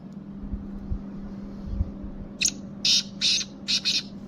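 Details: After about two seconds of low rumbling and hum, a kala teetar, or black francolin of the kabotra type, bursts into its rasping call: a short note, two drawn-out harsh notes and a fast closing pair.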